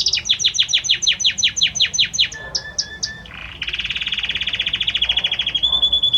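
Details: Belgian canary male singing for his female, opening with rapid repeated downslurred notes, a few sharper chips, a short pause, then a long even rolling trill.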